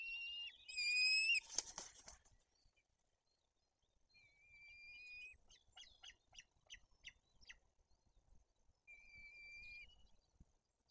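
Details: White-tailed eagles at a nest in Bory Tucholskie, Poland, with fish brought, chicks fed and an older chick aggressive, give thin, high whistles and quick runs of short sharp yelps, with brief rustling clatter early.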